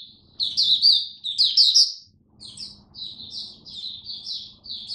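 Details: Caged oriental white-eye (mata puteh) kept as a hobby songbird, opening its 'raja' style song: rapid high chattering phrases of slurred, twittering notes in bursts, with a brief pause mid-way before the warbling resumes, quiet room background.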